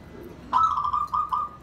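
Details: Zebra dove kept as a pet, calling in a bonding display to invite other birds: a short trilled phrase near one pitch, broken into three or four pulses over about one second, over faint low background hum.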